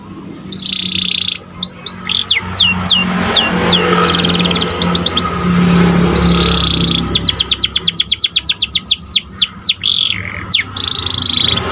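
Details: White Panda canary in full song for training other canaries: quick descending chirps, dense repeated note runs around the middle, and buzzy trills at both ends, with a low rumble like passing traffic beneath.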